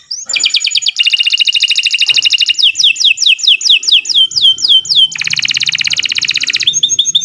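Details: Kenari Nusantara canary song for tutoring other birds: dense buzzy rattles alternating with series of looping descending whistled notes, then another rapid rattle and short high pips.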